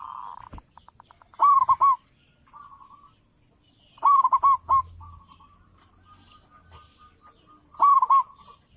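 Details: Zebra dove of local stock with a powerful voice, meant for luring doves: a soft rapid trill, then three loud stuttering coo phrases about three seconds apart, quieter rolling notes between them.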